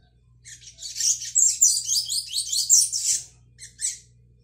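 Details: Young brown-plumaged double-collared seedeater learning the "tui tui" song style, recorded 22 May 2022: a dense, rapid jumble of high twittering and buzzy notes lasting about three seconds, then two short trailing phrases, over a faint low hum.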